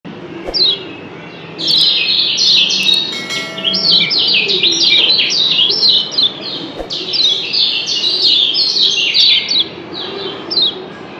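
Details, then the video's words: Yellow white-eye of Lombok, locally kecial kuning, giving the 'doble ciak' call as birds answer each other: dense runs of high, sharp, down-slurred chirps pouring out fast for about nine seconds after a short pause. "Doble Ciak Kecial Kuning JOSS BERSAHUTAN‼️Bikin Yg Denger Pasti NYAUT‼️"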